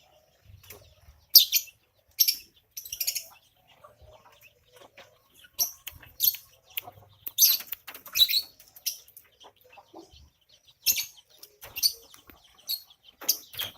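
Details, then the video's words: Javan myna, angry at being watched while bathing, gives harsh, buzzy bursts of broad rasping noise in short irregular volleys, some doubled, with quiet gaps and faint splashing-like low thuds between. "Burung jalak kebo marah saat diintip mandi"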